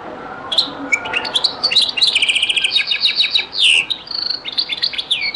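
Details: Old recording of a European goldfinch performing Beni Messous 'les avocats' (zaboka) song: continuous bright twittering with rapid clicking trills and swooping downward slurs throughout.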